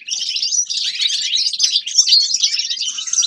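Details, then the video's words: Grey-crowned goldfinch singing a continuous, dense twittering stream of high, buzzy and tinkling notes with no pauses. "Седоголовый щегол Carduelis caniceps певчая птица طائر الاغنية"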